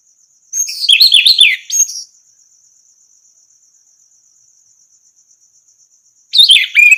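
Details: Orange-headed thrush song used as a tutor recording to train other birds to sing: one long burst of quick warbled and chattering notes, a short tail note, a pause of about four seconds, then a new burst, over a faint steady high ticking.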